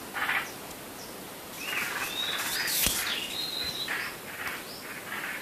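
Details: Birds calling in the dark before dawn on 8 April 2016: a few clear sustained whistles and soft chirps over a hissing background, with one sharp click in the middle.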